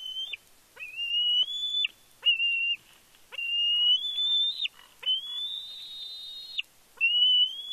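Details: Bald eagle fledgling at Big Bear, 31 May 2022, calling excitedly when the male parent arrives with a fish. A run of drawn-out, high whistled squees follows, some rising at the end, separated by brief gaps.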